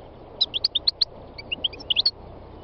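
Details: Wild European goldfinch singing: quick run of high, bright tinkling chirps and twitters in two short bursts, over steady low background hiss.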